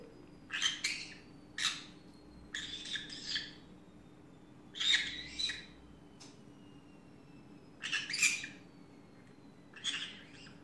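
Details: Green-cheeked conure, a pet, chatting away in the afternoon: a run of grating, scratchy squawks given singly or in doubled bursts about every second or two, with a low steady hum behind.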